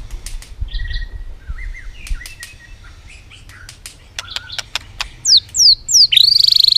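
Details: White-rumped shama driven to competitive singing, clicking repeatedly while flicking its tail: scattered dry clicks and soft low whistles, then a series of high downslurred notes and a fast, loud high trill at the end.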